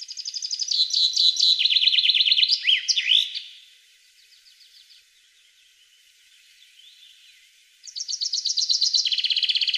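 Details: European goldfinch singing, played to stimulate captive goldfinches: fast high tinkling trills and swooping twitters, a quieter stretch of soft distant chatter, then a renewed run of rapid repeated notes.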